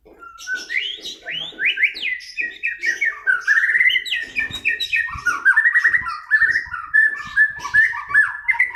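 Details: Home-kept white-rumped shama pouring out a long, fluent song of fast whistled trills and slurred notes, mostly mid-pitched, with rising and falling phrases delivered almost without pause.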